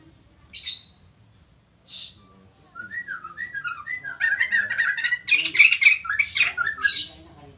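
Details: White-crested laughingthrush singing in full voice and drawing responses: two short harsh bursts, then a run of rising and falling whistled notes that builds into rapid, loud, scratchy squawking phrases, several per second.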